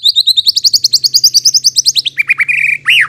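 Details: Shama lure song for prompting replies: a rapid, even trill of high sharp notes, about eight per second, drops into a harsh buzzy rattle and ends on an arching whistled note.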